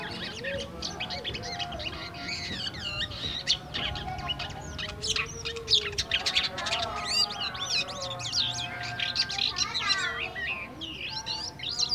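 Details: Several White-shouldered starlings, bought from a market cage and kept about a week, give a busy, unbroken stream of squeaky whistles, slurred warbles and harsh chatters, still at an early soft-singing stage, over faint background noise.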